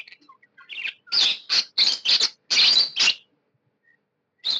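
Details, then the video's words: A happy pet budgerigar gives a quick string of six or seven loud, harsh chirps, then falls quiet before one last call. "Happy budgie chirping sound"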